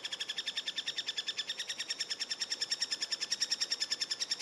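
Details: Eurasian three-toed woodpecker young, heard during feeding, give a fast, even, high-pitched chittering, about eight buzzy notes a second, steady and insistent throughout.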